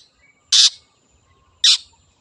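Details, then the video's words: Wild long-tailed shrike, used as a lure recording: two short, harsh, rasping bursts about a second apart in quiet surroundings. "PANCINGAN CENDET GACOR SUARA BURUNG LIARAN"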